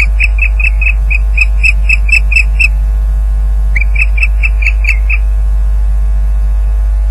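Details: Osprey at the nest at Loch Garten during a fish delivery, 30 April 2010 at 12:39pm, captured by a live nest camera: two bouts of short, sharp whistled chirps repeated about twice a second, over a steady low electrical hum.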